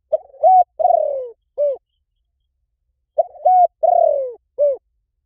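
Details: Spotted dove cooing, recorded as a decoy sound to bring in wild birds. A four-part phrase is given twice, about three seconds apart: a quick stutter, a level coo, a long grating downslide and a curved short final note.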